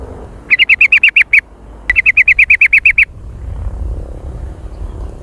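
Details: Sooty-headed bulbul lure call, super active and noisy jontrot: two long, rapid strings of loud chirps, about eight and ten notes, separated by a brief pause, followed by low rumble.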